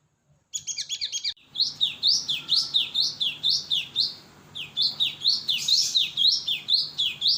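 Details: Cinereous tit from Indonesia used to attract birds: a quick burst of rapid chirps, then a long series of loud, ringing notes that dip and rise, repeated about twice per second.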